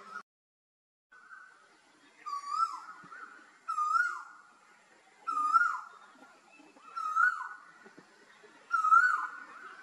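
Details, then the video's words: Asian koel, or koyal, from a recording of a male and female pair, calling in a steady series of five rising two-part whistles, each swooping upward, repeated about every one and a half seconds in a quiet setting. "Koyal ki awaaz /male and female koel bird sound/"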